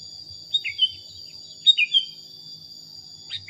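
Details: Sooty-headed bulbul training recording for songbird practice: two short bursts of bright, descending chirped notes, each stepping down from high to middle pitch, over a steady, piercing high whine that runs throughout.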